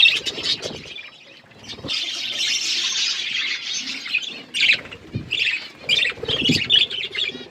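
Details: Budgerigars feeding together as a flock, giving a continuous high warbling chatter with scratchy chirps, and sharper separate squeaks and bursts toward the end.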